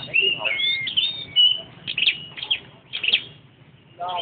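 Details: Red-headed flowerpecker perched and singing: thin, high chirps and short whistled slurs in quick bursts, with pauses between phrases, plus a lower harmonic sound near the end.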